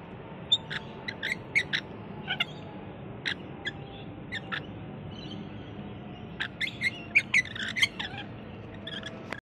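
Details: Wild rainbow lorikeet parrots at a balcony in Australia call out for food with a run of shrill, grating screeches. Bursts come irregularly, cluster densely toward the end, and are heard over a faint low hum.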